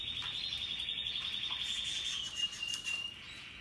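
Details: Russian yellow and Timbrado canaries in song: a fast, even, high trill running unbroken for about two seconds, then a brief clear whistled note and a few scattered chirps.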